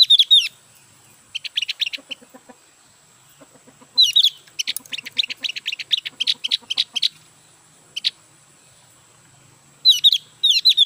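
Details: Captive Javan grey-throated white-eye, recently purchased and not yet singing fully, produces repeated bouts of fast high chattering chirps and bright whistled notes, broken by short silent gaps.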